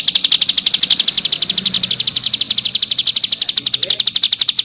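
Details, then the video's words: Cigun singing in nembak style, used as masteran for training young birds: a dense, rapid series of high shrill chirps delivered steadily, with faint low background noise. "MASTERAN CIGUN NEMBAK 6 VARIASI"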